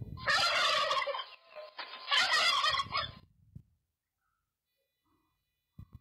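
A turkey gobbles twice, each a loud, rapid, bubbling rattle lasting about a second.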